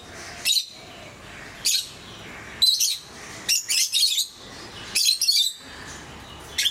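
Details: Pet lovebirds of several colour mutations uttering loud, shrill, raspy squeaks in bursts roughly every second, some bursts running into rapid double and triple chirps, against low background hiss.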